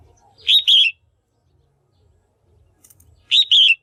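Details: Red-whiskered bulbul female giving her call to stimulate males or for pairing: a ringing two-part whistled chirp, heard twice about three seconds apart, with a faint chirp just before the second.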